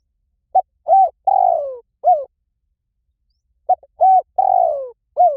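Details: Spotted dove call used to lure wild doves: mellow hooting coos in a short phrase of a brief note, a steady coo, a long downslurred coo and a final short coo, with the phrase repeated after about two seconds of silence.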